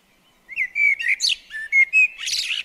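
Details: Common blackbird singing while visiting a garden bird table: a run of short, fluty whistled phrases, some rising and some slurred, then a higher, scratchy twittering flourish at the end. No other sounds.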